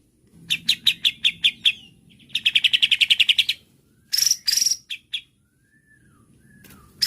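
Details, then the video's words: Emotional white-rumped shama provoked by a bait recording, answering at once and unloading its song repertoire: bursts of sharp high chirps repeated in fast trills, then a rapid buzzy series and loud harsh notes, with quieter pauses between. "PANCINGAN JAHAT MURAI BATU EMOSI BIKIN LANGSUNG NYAUT DAN BONGKAR ISIAN DENGAR SUARA INI"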